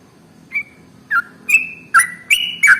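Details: Sooty-headed bulbul (trucukan) in lively song, recorded as a lure to get other birds singing; six short whistled notes spaced about half a second apart, each a clear steady tone, some ending in a lower slurred drop, over faint low hum.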